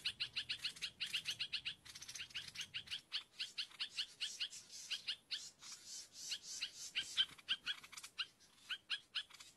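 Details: Sooty-headed bulbul used as a lure: a long, fairly quiet run of quick downslurred notes repeated in rapid succession, mixed with scratchy chatter, with a low murmur in the first few seconds.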